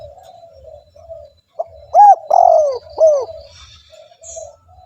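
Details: Lively spotted dove (tekukur) calling, used as a lure to draw other doves: three loud, arched, hollow coo notes in quick succession near the middle, between softer low cooing murmurs, with faint high chirps from other birds.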